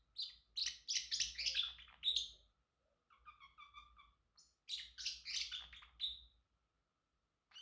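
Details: A male Pacific parrotlet gives rapid bursts of shrill, high chirps, then a short run of lower, buzzy, speech-like chatter before the chirping resumes; it sings, chirps and talks.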